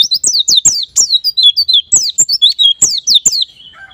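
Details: White-eye lure song, meant to prompt birds to sing quickly in ngalas and nembak styles: rapid chains of high, sweeping chirps falling in pitch, packed tightly with brief gaps, plus sharp clicking knocks underneath.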